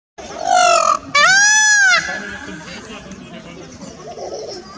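A peacock gives two loud, nasal, wailing screams in quick succession, the second rising and then falling, followed by quiet background hiss.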